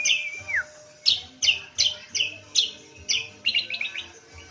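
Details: Lively cucak kombo, or kacial lombok, song used as a lure to set other birds singing: a falling whistled slur, then a run of sharp, bright chirps about three times a second, with a faint low hum behind.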